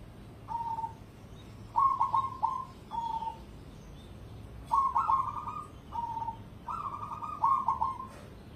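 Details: Competition-standard cemani zebra dove singing. Short phrases of mellow trilled cooing notes alternate with single drawn-out whistled coos, with a phrase every second or two and brief pauses between them.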